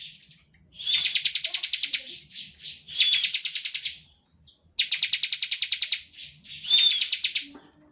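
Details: Bar-winged prinia singing in the ngebren style, used as a lure to draw other prinias into song: dry, buzzy trills of rapid ticking notes lasting about a second each, separated by short pauses, with faint low background noise.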